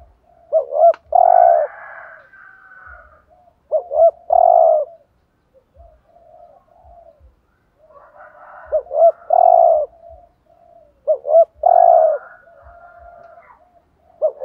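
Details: Spotted dove decoy cooing in 'thúc gù' style to stir up wild doves. Four loud phrases over about fourteen seconds, each twin hooked notes leading into a long full coo, separated by soft, quavering low coos.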